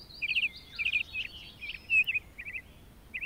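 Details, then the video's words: A grassland lark pours out varied song, mixing short rattling trills with twisting whistled phrases, all high-pitched, in a lively unbroken stream with brief gaps between bursts. "The Calming Power of a Larks Birdsong"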